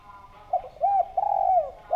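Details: Spotted dove lure call: a soft lead-in note, an arched coo, then a long trembling coo that slides downward, with another coo just starting at the end.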